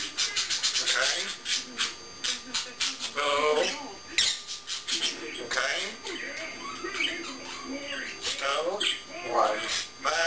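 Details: African grey parrot kept as a pet indoors, talking after its owner leaves the room: a run of speech-like mimicked phrases mixed with sharp squawks and clicks, broken by short pauses.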